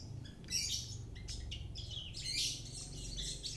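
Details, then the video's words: Mountain white-eye of the Kintamani type singing actively: quiet, high thin chirps and short trills in scattered bursts, over a steady low rumble of background noise. "pleci gacor, dagbal kintamani"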